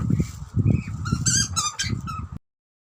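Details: Two Australian butcherbirds, a young bird and an older one, chatter to each other at feeding time in a quick run of squeaky, slurred chirps, some rising and some falling, over about a second and a half, with a low rumble throughout.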